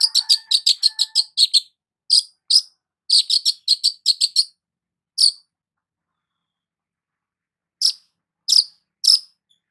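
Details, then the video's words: A long-tailed shrike sunbathing in the morning pours out quick bursts of bright, high chirps, pauses, adds single sharp notes, then falls silent before a few final isolated chips. "KICAUAN BURUNG CENDET SAAT BERJEMUR DI PAGI HARI"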